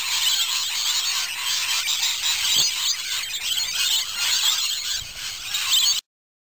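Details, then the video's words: Rainbow lorikeets keep up a dense, harsh, high screeching chatter, with many shrill squeals overlapping without a break, like a noisy flock. "Rainbow Lorikeet"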